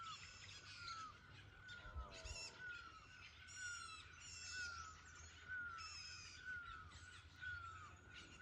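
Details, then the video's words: Mating call of a bird in forest: a short downward-sliding whistle repeated regularly about once per second, set against a dense chorus of higher chirps, squawks and rattling calls from other birds. "Bird mating call in forest"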